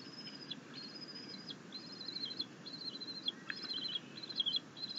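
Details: Happy bald eagle eaglet chittering while its mother delivers a fish to the nest, 9 June 2021. Quick strings of high, thin, stuttering notes run on in short bursts with brief gaps, rising in loudness toward the end, against a low rumbling hiss.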